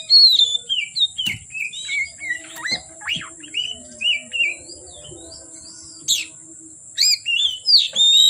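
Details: Oriental magpie-robin in full song from afternoon until darkness, giving a rapid string of short whistled notes, a few sharp clicks and a brief lull before loud rising phrases. An unbroken high whine sits in the background.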